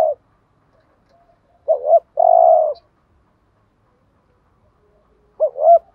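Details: Decoy spotted dove cooing to lure wild doves: a quick double-humped coo then a long level purring note, with a further double coo after a three-second pause; quiet background otherwise.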